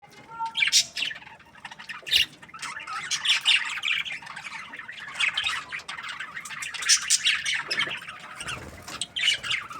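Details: Happy budgie chirping: dense, high twittering chatter with scratchy squawks and quick warbled notes running almost without pause, rising into louder bursts toward the middle and end.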